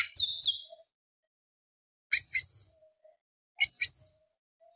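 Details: Singing greater green leafbird, gacor full-isian style, recorded as provocation: three separate loud phrases, each a quick high whistled flourish ending in a drawn-out note, spaced roughly one and a half seconds apart.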